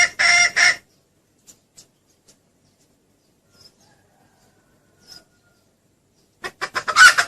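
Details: A red junglefowl hen, whose call is used as a lure that draws the rooster in, gives two harsh, cackling bursts about six seconds apart, with near silence between.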